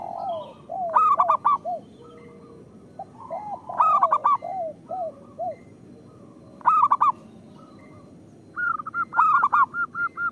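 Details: Local zebra doves singing, used as therapy and lure audio for other doves: loud rippling coo bursts roughly every three seconds, softer descending coos between them, and an even run of short notes at the end.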